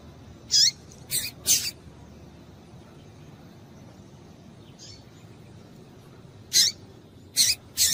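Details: Female double-collared seedeater calls used to stimulate a male: short, high chip notes, three near the start, one faint note near the middle, then three more toward the end, over a low steady background hiss.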